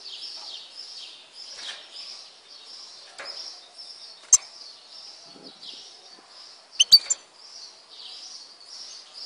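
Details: European goldfinch from Tizi Ouzou, Algeria, singing a continuous high twittering warble with slurred notes and occasional sharp clicks, fairly quiet throughout.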